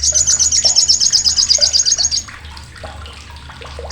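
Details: Sogok ontong (olive-backed sunbird) delivering a harsh, piercing chatter for training songbirds: a fast run of shrill repeated notes over two seconds, then scattered lower chips amid a steady watery splashing.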